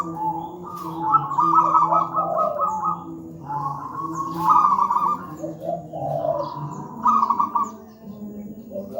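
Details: Wild local zebra dove with a deep, thick voice, cooing as a training model for young doves that do not yet sing: low rolling coo phrases, each with a rapid trill, repeated about every three seconds over a steady low hum.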